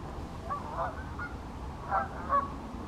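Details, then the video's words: Pink-footed geese at Wyver Lane giving a few sparse, separate honks, short high yelps about half a second apart, with faint distant flock murmur and low background noise. "Pink footed Geese"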